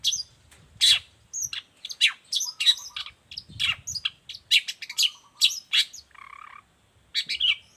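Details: Long-tailed shrike singing, used to tutor and provoke other shrikes: loud, harsh high notes and sweeping chips in quick succession, broken by a few lower warbled phrases.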